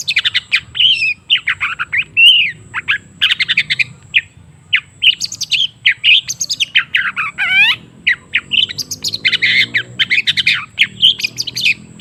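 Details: Long-tailed shrike singing to coax a quiet bird into song: continuous, varied chattering with mewing slurred notes, scratchy squeaks and a sweeping downward call in the middle, over a soft low hum.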